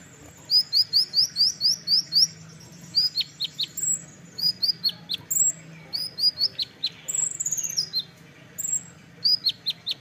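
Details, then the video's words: Olive-backed sunbird (kolibri ninja) in the dense, rapid-fire 'nembak rapat' song style: fast runs of high, thin upslurred notes about five per second, broken by squeaky downslurs and brief whistled slides, against a quiet low hum. "masteran kolibri ninja (konin) nembak rapat"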